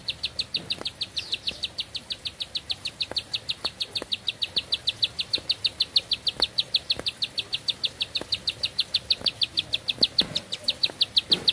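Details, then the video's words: ['Bar-winged prinia pouring out one long-breathed song, a continuous chain of bright, high ticking notes, about six per second and steady throughout, with light clicks in the background.'] "Nafas Panjang, Nembak Satu Lagu, Ciblek Sawah Gacor"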